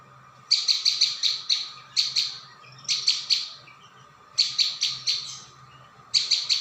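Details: Continuous-sounding lure recording of a prinia: clipped, high-pitched chirps grouped in fast bursts of two to six, separated by short silences.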